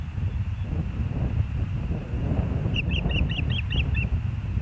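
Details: At the Hellgate nest, 06/09/2024 at 13:17, an osprey gives a brief flurry of about eight clipped, piercing whistled notes near the end, heard over a constant heavy background rumble of wind.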